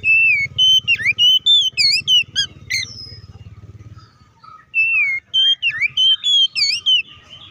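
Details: Energetic Oriental magpie-robin song, 'ngeplong' and combative in style, used to stir other magpie-robins to sing. Rapid run of loud, swooping whistles and piercing upslurs, a brief lull, then renewed whistled phrases. Faint low droning behind.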